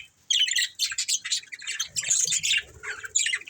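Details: Chirping from a budgie breeding pair: after a short silence, quick scratchy trills and squeaky notes tumble out in rapid bursts, with a faint low rumble underneath.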